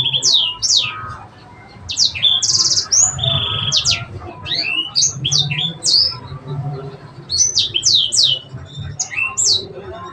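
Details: Cengkok song of a sanger, mixing steady high whistles, quick descending slurs and brief buzzy trills in loose phrases separated by short gaps.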